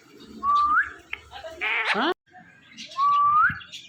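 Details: Pet Ringneck parrot talking into a phone: a rising whistle, then a harsh swept squawk, then a pause and another rising whistle.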